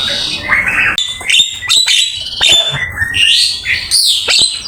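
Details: A Javan myna sings a training master full of varied fills. A high steady whistle, crackling scratchy notes and bright upslurred whistles come in rapid bursts, recorded with Open Camera.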